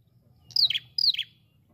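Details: Calling ashy prinia (prenjak kepala merah): two quick, high, downslurred chirps about half a second apart, each ending in a brief buzzy burst, over a quiet low hum.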